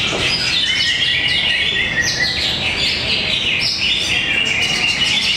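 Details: Greater green leafbird competing in a bird singing contest in Tapos, Depok: loud, rich run of whistles and rapid chattering phrases, overlapping other singing birds with a noisy crowd behind.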